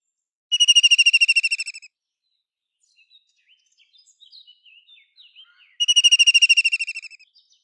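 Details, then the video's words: White-throated kingfisher, also called white-breasted kingfisher: two loud, rapid, rattling trills of about thirteen clipped notes each, slightly falling in pitch and spaced about five seconds apart, with faint twittering from other birds in between. "White-throated kingfisher ! White-throated kingfisher Call Song ! White-throated kingfisher Sounds"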